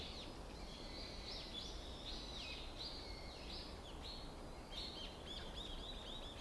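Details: High, thin chirps and short rising-falling phrases from several small birds in a morning forest at Ikuta Ryokuchi, Kawasaki, Japan, in February 2025, over a steady low rumble; distant cars or planes may be audible.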